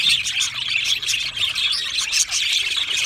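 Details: A group of budgies twitters nonstop, with fast high chirps and soft warbles blending into one even, busy chatter from start to end.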